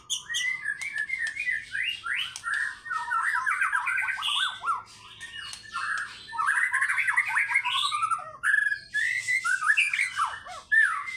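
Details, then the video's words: Energetic White-rumped shama in fighter style, unloading its learned phrases: loud, fast trills and chattering runs with rising sweeps, in dense bursts separated by brief gaps. "MURAI BATU GACOR FIGHTER BONGKAR ISIAN"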